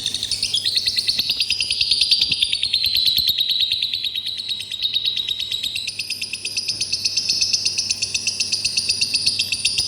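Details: Lovebird calling in one long, fast, continuous chattering trill of high buzzy notes that shifts slightly in pitch partway through.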